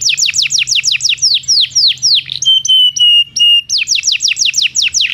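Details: Belgian canary song used to train non-singing canaries: rhythmic descending sweeping notes repeated about four per second, a middle passage of pure steady whistles, then the sweeping series resumes, with a faint low hum beneath.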